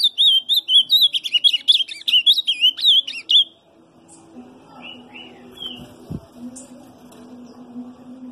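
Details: Ultramarine grosbeak singing quiet subsong: a rapid, high twittering warble of quick slurred notes for about three seconds, then fading to a low hum with scattered faint chirps.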